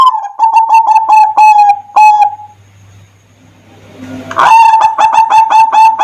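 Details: Perkutut (zebra dove) song used as a lure for other doves: a quick run of staccato cooing notes on a level pitch, a quiet pause with a low hum and hiss, then another loud, rapid burst of coos.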